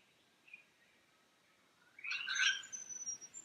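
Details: A lyrebird in the Cathedral Ranges on a Sunday morning, near streams, gives a single high note, then after a pause bursts into a dense jumble of mixed, buzzy and whistled phrases topped by a thin high whistle.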